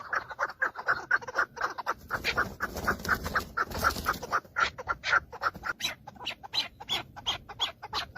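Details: Several male Chukar partridges fighting and displaying to females in breeding season, recorded from inside a car: harsh clucking chuk notes repeated about twice a second in uneven bursts, with brighter squeaky accents and faint low background rumble.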